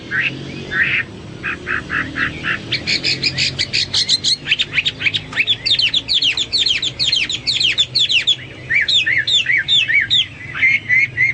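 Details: Hwamei singing as a tutor bird: short clipped notes build into a fast, dense stream of sharp whistled notes, ending in repeated swooping phrases.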